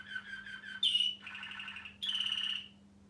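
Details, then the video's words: A male Waterslager Malinois canary over 1 year old sings rich, rolling phrases: a quick trill, then long, full bubbling tones in three bursts, over a faint steady low hum. "Singing canary - chim hoàng yến hót"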